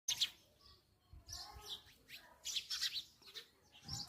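Sparrows chirp in short, bright bursts, several overlapping in quick irregular clusters, with faint low bumps of background noise.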